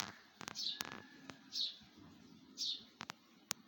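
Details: Birds singing in a tree in the morning: brief high chirps roughly once a second, with scattered clicks and a low background hum.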